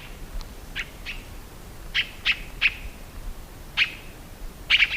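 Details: Tiê-caburé song: short sharp whistled chirps, several separate notes scattered across the clip, some in quick pairs or triplets, over a faint background hiss.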